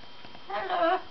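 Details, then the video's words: A very excited parrot gives a short nasal harmonic call that starts softly and swells to a louder, wavering note near the end, lasting about half a second in a quiet room. "one very excited parrot"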